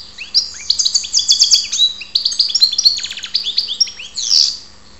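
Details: Ptolemaida, Greece: a goldfinch delivers a lively tinkling song of rising whistled slurs and rapid clicking trills, closing with a harsh buzzy note.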